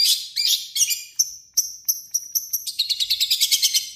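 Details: Long-tailed shrike song with copied notes of other birds: harsh scratchy phrases, then clear high whistles, ending in a fast run of rapid chirps.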